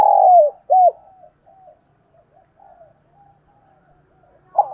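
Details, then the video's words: Spotted dove calling in the morning: the end of a phrase, a long rough coo and a hooked coo, then softer distant cooing fading out, and a new phrase beginning at the end. "Tiếng cu gáy gọi buổi sáng"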